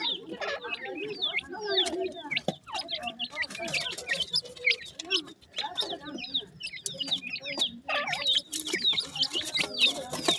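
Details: Freshly hatched grey francolin chicks call their mother with repeated high, sliding peeps from several birds at once. Lower murmuring sounds and scattered tapping noises run underneath.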